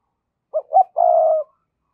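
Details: Decoy spotted dove calling as a lure to provoke wild doves: two short rising coos followed by one long, steady, slightly falling coo, lasting about one second, in otherwise silent surroundings.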